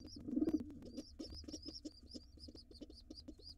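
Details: Wild rock pigeons with young nestlings at their nest box, the white male having joined the gray female. A loud throaty coo opens, then high thin squeaking peeps repeat about three per second over faint low pulses.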